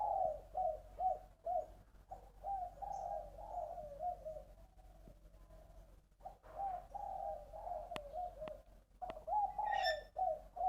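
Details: Spotted dove from Long An, Vietnam, delivering the 'ba ròng giọng đồng' three-part song: deep, rhythmic coos in repeated runs separated by short pauses. A few sharp knocks and a faint high chirp come near the end.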